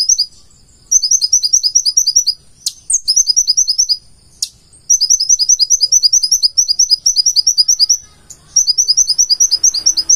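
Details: Purple-throated sunbird (konin) giving its full-isian song: repeated rapid strings of thin, high-pitched notes in bursts of one to three seconds, with brief silences and occasional sharp clicking notes between.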